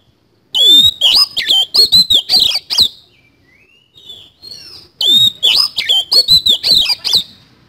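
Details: Oriental magpie-robin singing energetically in the 'isian kasan' style: two rapid bursts of about a dozen harsh, chattering notes laced with high slurred whistles, split by a quiet pause holding a soft, low warble.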